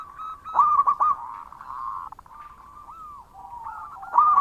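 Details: Local zebra dove singing loudly and persistently: a stuttering burst of quick mellow coos, then a long drawn-out hum-like coo that dips and rises, ending in another loud stuttered burst.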